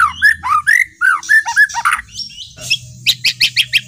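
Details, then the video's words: White-rumped shama, murai batu, song meant to provoke other birds: a run of rich looping whistled phrases, then a fast series of short sharp high notes repeated several times a second. "kretekan murai batu pastol gacor full tembakan.efektif pancing emosi"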